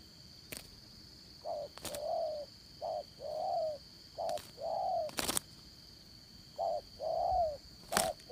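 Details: Spotted dove used as a trapping decoy, Đồng Son voice style: paired low coos, a short note then a longer swelling one, repeated with gaps. Sharp clicks break through, over a steady high insect whine.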